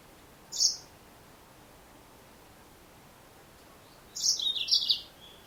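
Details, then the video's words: Female Yellow-fronted canary (Serinus mozambicus): a single sharp high chirp, then after about three and a half seconds of near silence a longer burst of rapid, high, scratchy twittering notes. "Mendengarkan suara burung Mozambik Betina"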